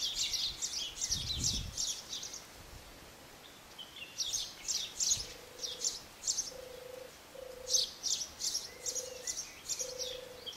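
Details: Soft, low purring notes from a European turtle dove (subspecies arenicola) at Asrir, Morocco, in March 2012, repeated about every second, half-hidden under busy high chirping from small birds.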